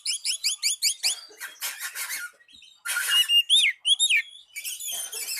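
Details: Oriental magpie-robin song used to call a rival, opening with a quick series of about six high, repeated chirps, followed by scratchy bursts and several clear upslurred whistles.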